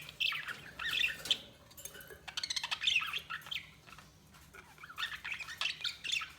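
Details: Budgie chirps and raspy warbles come in short bursts with brief pauses, quieter and set against a low background hum.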